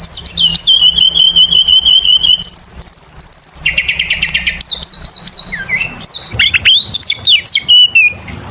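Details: Oriental magpie-robin song played as a lure for other birds: long runs of rapid repeated whistled notes at steady pitch, shifting between high and lower series, then rising sweeps and chips.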